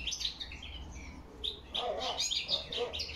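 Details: Autumn singing of a European goldfinch, October 2021, with crested lark whistles: scattered high chirps and twitters, joined later by lower, fuller calls from other birds.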